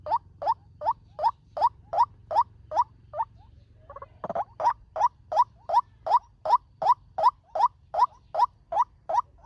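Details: Fast lure call of a white-breasted waterhen for trapping: clipped upward notes repeated steadily about two or three per second, a brief break and a thud midway, then the same rapid series resuming.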